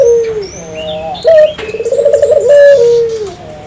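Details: Lively dove song for stirring local doves into singing: a falling coo, a short rising note, then a fast throbbing trill that ends in a long drawn-out descending coo, with thin high chirps behind.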